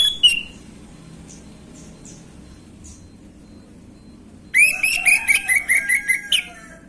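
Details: Orange-headed thrush gamblingan song used as a lure for young birds: after some faint scattered chips, a rapid series of about eight bright, repeated whistled notes runs for nearly two seconds.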